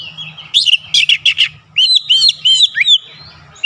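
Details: Oriental magpie-robin, kacer, challenging a rival: harsh buzzy chatter notes in a quick series, then a run of bright curling whistles, over a faint low hum.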